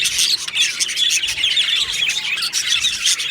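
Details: Aviary budgerigars in full chorus, dense high chattering with bright chirps, squeaks and warbled trills running together without pause.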